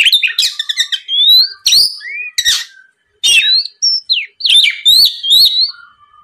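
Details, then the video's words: Lure song of an Oriental magpie-robin meant to goad a rival into calling back: clear rising whistles, short harsh rasps and quick chirps in a lively sequence with a few silent breaks. "MEMANCING KACER LAWAN AGAR LEKAS BUNYI NYAUT & GACOR, SUARA PIKAT BURUNG KACER GACOR NGEPLONG"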